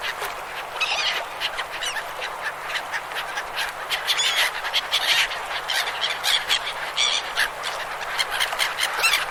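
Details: A dense chorus of river gulls calling over one another, with harsh, rapid squeals and yelps forming a constant overlapping din.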